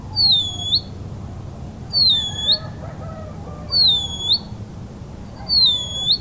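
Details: Band-winged nightjar (Hydropsalis longirostris) song: a high, thin whistled note that dips then rises, repeated about every one and three-quarter seconds over steady low rumbling background noise.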